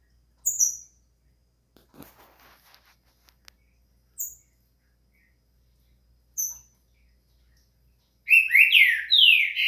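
Green-winged saltator: thin, high, downslurred whistles come three times a couple of seconds apart, then a loud burst of rich, tumbling whistled phrases. A brief rustle is heard early on.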